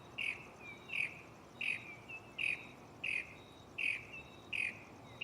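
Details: Mockingbird in a tree at night, close to the recorder, repeating one short, bright chirp roughly every three quarters of a second, with softer whistles between, over a steady hiss.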